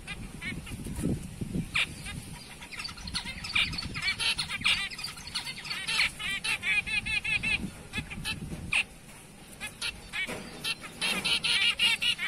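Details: Zebra finches of the black-breasted and light-back color forms, giving many short, nasal, honking calls in quick bursts, with several birds calling over one another, a faint low rumble underneath and a quieter stretch near the end.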